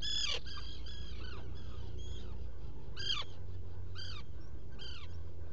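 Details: Black guillemot calls from a nesting burrow on Seal Island NWR, Maine, picked up by a burrow camera in early morning, dated 07-05-2018: sharp, descending harmonic calls in a burst, then single calls near three, four and five seconds, over steady low hum.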